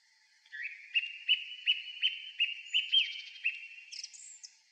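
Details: Song thrush in spring evening song from a tall pine top near a disused railway crossing: a run of about ten sharp repeated whistled notes, then a quick buzzy rattle and a high thin flourish.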